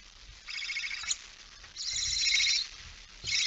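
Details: Barn owl, female with mouse, 06:11 on 17 September 2019; two softer, hoarse hissing screeches over low background rumble, a third starting at the end.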